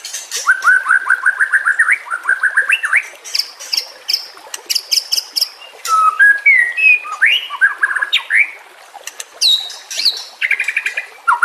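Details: Varied songbird song used as a training recording for caged White-rumped Shama, meant to teach birds an aggressive fighting style: rapid repeated whistled notes, then high buzzy bursts and sweeping rising and falling whistles, with a faint background hiss.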